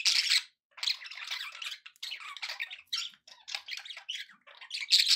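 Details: Several pet budgies in a happy mood, giving rapid scratchy twittering and squeaky chirps in close bursts with brief gaps, a sharp bright squeak opening and closing the stretch.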